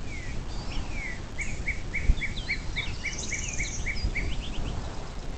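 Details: A bald eagle calls from its nest on the Little Miami River near South Lebanon, Ohio, early on the morning of 26 April 2024: a rapid, even series of about twelve thin, falling piping notes over steady background hiss.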